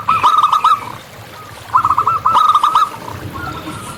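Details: Local zebra dove in the wild gives two dense bursts of quick, bubbling coo notes separated by a short pause, the notes tumbling in a slightly descending rhythm amid faint background hiss.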